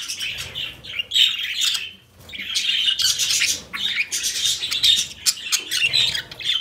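Budgerigars chatter in a steady stream of high, scratchy warbles and squawks.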